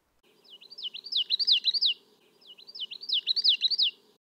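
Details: Common Yellowthroat of the central and eastern United States sings two bouts of quick, rolling 'witchety-witchety' ('Wichita') phrases, bright and high, each bout about two seconds long, over a faint low hum.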